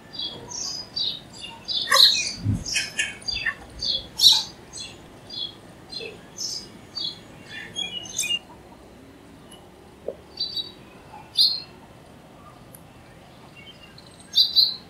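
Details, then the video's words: House sparrows give quick, scattered bursts of short, bright chirps, busiest early on and then sparser, with one dull thump near the start. "Sparrow Birds Crowing Sound Charya Ki Awaz"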